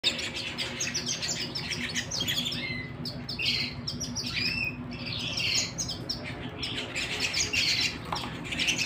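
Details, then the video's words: Canary singing at home, indoors: a dense, continuous high warbling of chirps, rapid trills and short whistled slurs, with no pauses, over a faint low hum. "canary singing at home"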